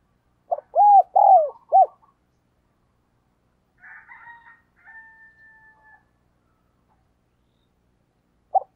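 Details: Decoy spotted dove cooing to call in wild doves: one phrase of three deep, husky arched coos, then a faint distant drawn-out tonal call in the background, and a single coo starting again at the end.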